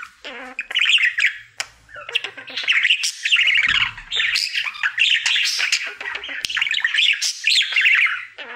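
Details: A single male pet budgerigar in daily song: long run of rapid, raspy chatter and warbled squeaks with occasional sharp clicks, almost unbroken for several seconds, with a faint low hum in the room.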